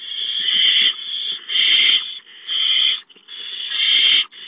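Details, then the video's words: Young barn owls hiss while food arrives, making loud, breathy, rasping hisses of roughly a second each that follow one another almost without a break. "The Owlets hiss, Roy brings a mouse"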